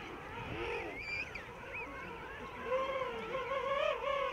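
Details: A huge king penguin rookery on Salisbury Plain, South Georgia, with thousands of breeding pairs and their brown fluffy chicks: many overlapping trumpeting calls, rich and harmonic, that wobble and rise, growing louder and more layered toward the end.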